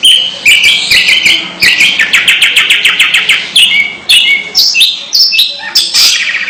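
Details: Long-tailed shrike giving strange vocalizations, rapid rattling chatter with buzzy rasps and short whistled notes, fairly steady rhythm of quick repeated elements.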